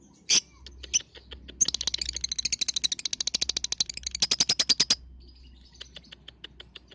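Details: Lovebird lure sound meant to make other lovebirds sing, suited to young balibu birds; sharp high chirps, then a fast buzzy rattling trill of rapid repeated notes lasting about three seconds, followed by scattered clicks.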